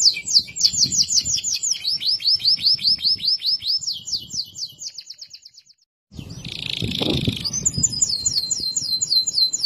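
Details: Loper canary delivering its loud clear song that prompts other canaries to sing: long fast trills of repeated notes, a short pause, a harsh buzzy burst, then high rapid trilling again.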